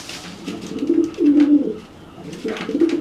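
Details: A dry pigeon, swelling up to look bigger, coos at a soaked pigeon unable to fly after bathing. Two low, rolling coos are given, the first longer and fuller.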